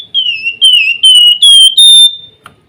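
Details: Flamboyan bird singing a loud, clear whistled phrase: long sustained high notes that slide slightly down then hold, in four or five linked segments, ending with a brief soft note.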